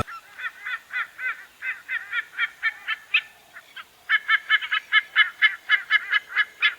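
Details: White-bellied sea eagle (Haliaeetus leucogaster), Sri Lanka, found along coastlines, estuaries and inland waterways, gives a loud, harsh, goose-like honking call: rapid nasal notes in two bursts, several per second, with a brief pause between.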